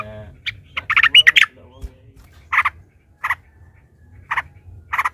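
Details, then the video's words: Yellow-vented bulbul, a long rapid 'ropel' chatter used as a lure to provoke other bulbuls into singing. A brief voice opens, then short buzzy bursts around two to three notes each, spaced about a second apart. "trucukan ropel panjang TARUNG PANCINGAN TRUCUKAN agar bunyi jadikan burung trucukan gacor EMOSI"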